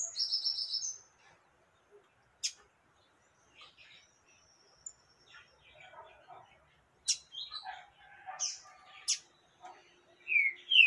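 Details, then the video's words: Female yellow-bellied seedeater calling to stimulate a male: opens with a rapid run of high, thin repeated notes, then scattered sharp chirps and short buzzy phrases, ending with loud upward-sweeping whistled notes. "Femia fogosa pra levanta papa capim ?"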